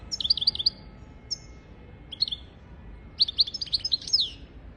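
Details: Singing European goldfinch used for teaching goldfinches and canaries: an opening flurry of high twittering notes, two isolated short chirps, then a longer, richer jangle of liquid trills ending in a descending slur.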